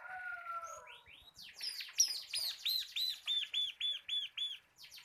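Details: Continuous rattling song of a caged local bar-winged prinia, crystal kapas type, used as a tutor for cage birds, with soft whistles opening into a long even series of rapid arched high notes.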